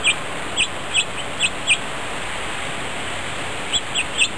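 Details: Several grosbeaks feeding together on New Year's Day, 1 January 2010: short clear chirped calls with bright overtones, a quick run of five or six spaced about half a second apart, a pause, then two more near the end, over steady background hiss.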